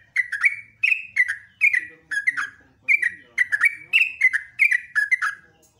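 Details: Trucukan, the yellow-vented bulbul, giving rapid ropelan song at morning: chattering, bubbling whistles falling in pitch, strung into quick repeated phrases roughly every half second, clean and loud throughout.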